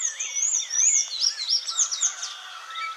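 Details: Sayaca tanagers visiting a yard for food give a jumble of thin, high squeaky notes and twittering slurs, several birds chattering at once with no steady rhythm.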